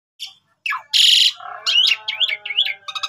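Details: Asian pied starling in full song, the kind used as a master recording for training other starlings: a loud harsh burst, then rolling whistled notes and a run of quick rising-falling chirps.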